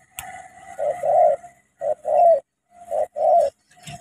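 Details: Spotted dove, Cà Mau decoy bird confronting a wild dove, uttering paired hollow coos, a short note then a longer one, in three clear groups with a faint click at the start.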